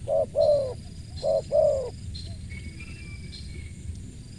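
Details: Spotted dove with a crisp voice giving two paired coos, a short note then a longer falling one, before falling silent while faint high bird whistles continue.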